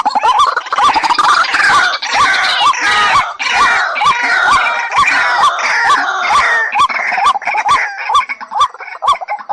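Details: Waterhen trapping lure: a loud, continuous chorus of hoarse, upward-hooked croaks running about twice per second for nearly ten seconds, thick with overlapping voices and rough upper harmonics.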